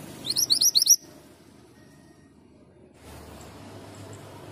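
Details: Actively singing male Pied Bushchat delivers one quick burst of about five high, sharp upslurred whistles, then only low background noise follows.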